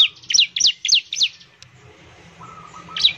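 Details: Bar-winged prinia sounds used to prompt other birds to sing: four sharp, high rising-falling chirps in quick succession, a short soft whistle in the background, then one more chirp.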